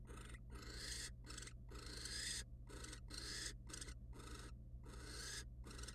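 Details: Wild barn owls at a nest box, the male mating with the female and then preening her feathers; long harsh rasping hisses run almost continuously with brief gaps, over a steady low electrical hum.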